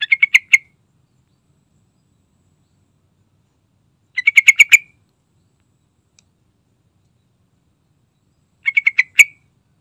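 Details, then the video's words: Sooty-headed bulbul in full lively song, recorded to entice other bulbuls to sing: three quick bubbly phrases of five or six chattering notes each, repeated roughly every four seconds, clean background. "Suara Rayuan Trucukan Gacor Santai Bongkar Isian"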